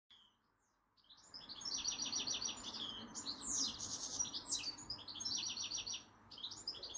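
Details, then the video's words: Goldfinch singing in a cherry tree at the bottom of a garden: a fast, high, twittering song of tinkling trills and buzzy notes, continuous after a quiet first second, with a steady low background hum. "Singing Goldfinch"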